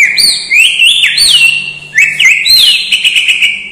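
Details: Murai batu, the white-rumped shama, singing a song filled with mimicked lovebird, kapas tembak, cililin and sparrow notes: loud, pure whistled phrases sliding up and down, swooping slurs repeated twice, with faint chips behind.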